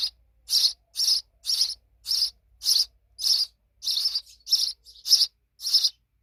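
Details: Grown young sparrows chirp briskly, eleven scratchy bursts in about six seconds, steady and loud with short gaps.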